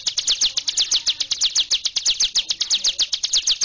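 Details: Hill prinia singing continuously in the 'ngebren' style: a steady run of sharp, high, down-slurred notes repeated about six times a second.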